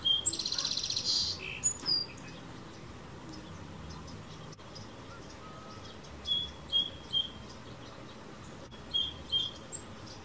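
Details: Male sparrow in a backyard in the morning, singing and playing on a fence among wild birds; short high chirps come in small clusters, with one louder buzzy burst early on, over a steady low background hum.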